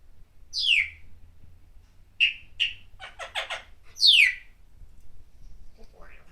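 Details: Pet parrot indoors, calling out while cheering for Jeremy Lin's game; two loud, falling screeches framing clipped whistles and a quick run of harsh, stacked chatter notes, then quiet.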